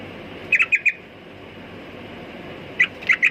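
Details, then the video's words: Sooty-headed bulbul calling with quick clusters of bright chirps, one group of four notes, a long pause, then three more, with faint hiss behind. "Burung Trucukan Kicau Mania"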